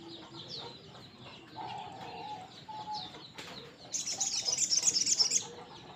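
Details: Crimson sunbird in active song: after a quiet stretch of faint chirps and a low whistle, a burst of fast, high, sizzling trills lasts about a second and a half, then fades.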